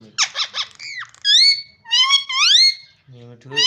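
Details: Parrot talking and calling indoors: a burst of rapid squeaky pulses, then loud rising whistled notes with rich overtones, a low nasal voice-like sound near the end before another bright whistle.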